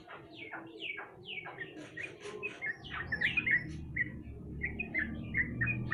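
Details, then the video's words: Lure song of a sooty-headed bulbul meant to prompt a silent bird to sing: it opens with sharp falling whistled sweeps, then continues with quick chattering chirps over a noisy low rumble. "pancingan trucuk malas bunyi"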